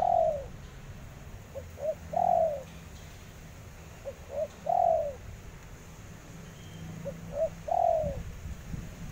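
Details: Repeated cooing of a spotted dove, each phrase made of two or three brief soft notes and a long drawn, downward-bending coo, recurring roughly every two and a half seconds against a faint low hum.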